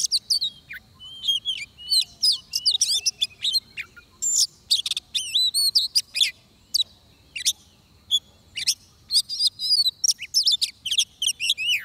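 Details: Oriental magpie-robin singing during trapping: a rich, varied run of loud whistled and buzzy phrases, sweeping up and down, given in quick bursts with short pauses and no other clear sounds.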